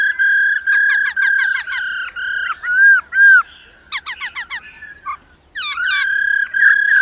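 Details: Female laughingthrush calling 'ro ro' so males sing hard: long level whistles interleaved with short falling notes, a burst of loud arched notes, quick chatter, then sustained whistles again.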